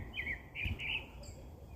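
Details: Bird song of quick, bright chirps, a few short warbled notes in a row, set over a steady low rumble of background noise.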